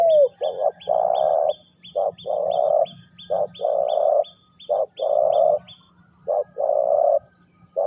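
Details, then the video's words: Spotted dove, Ninh Thuận, Vietnam, giving the three-coo hanging call: phrases of short coos followed by a long hollow coo, repeated about every 1.5 seconds, with a thin high ticking pulsing steadily above and a low hum. "เสียงนกเขาใหญ่ 3กุกห้อย เรียกลงกุก2กุก"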